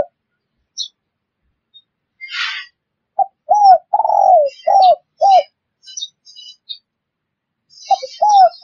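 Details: Cooing of a spotted dove, a recording meant for luring wild doves. A soft breathy rustle comes first, then a phrase of short and drawn-out rounded coos. Thin, high twitters of other birds are scattered above.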